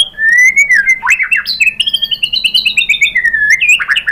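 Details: White-rumped shama (murai batu) lure song, meant to provoke other shamas to answer and sing: loud clear whistles around mid-high pitch, slurred upward and downward notes, then a run of quick rising chirps, bright and varied throughout.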